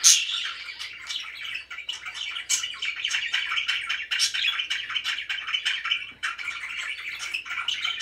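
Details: Very happy pet budgies warbling in a steady stream of chirps, clicks and grating squawks, opening with a loud sharp call, with a short dip in the chatter after six seconds.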